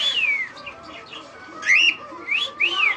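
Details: Cockatiel flying loose through a living room: a brief set of high whistled notes, one falling slide and then quick rising-falling whistles.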